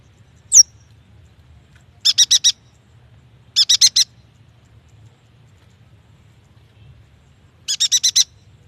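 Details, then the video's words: Yuhina song used to lure young, newly caught or quiet yuhinas into singing: one sharp high downward-slurred note, then three bursts of four or five rapid chattering notes, each burst spaced a couple of seconds apart, over faint low hum. "AMPUH untuk memancing bunyi burung yuhina bakalan, muda dan malas bunyi"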